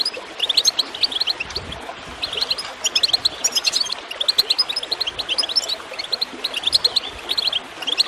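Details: Goldfinch chirping over gurgling water, meant to encourage birds to sing: bright, rapid twittered notes bunched in short bursts, with steady splashing water throughout.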